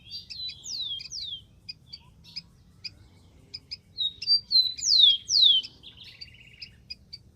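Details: Rufous-collared sparrow heard in the wild giving paired falling whistles, then high chips, then another whistled phrase ending in a fast dry trill.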